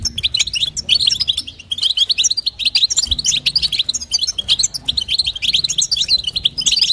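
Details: European goldfinch, female, calling to stimulate a male: lively continuous twittering of high chirps and buzzy trills, densely packed over seven seconds with very short breaks; faint low background hum.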